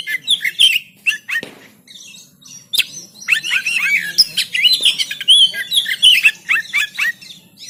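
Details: Oriental magpie-robin (kacer) in Banten, recorded on an Android phone as a training recording to make birds sing and spread the tail: a loud, fast, varied song of whistled and buzzy high notes, some sliding, with rapid chattering runs.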